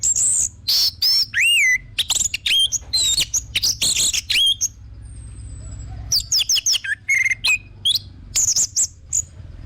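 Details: Orange-headed thrush used as a lure bird, singing a fast varied run of sweet whistles, swooping slurred notes and sharp chirps, briefly pausing around the middle with one thin long whistle before resuming.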